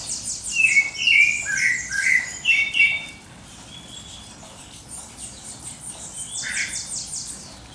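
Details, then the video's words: Birds singing at dawn: a lively run of warbled, slurred phrases in the first three seconds, then softer high twittering and a single louder note near the end. "pássaros cantando no amanhecer"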